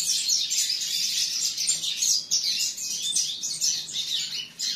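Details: Young canary, a chick from a breeding pair, singing a dense, continuous, high warbling song of rapid trills and twittering notes with short breaks, no other clear sounds.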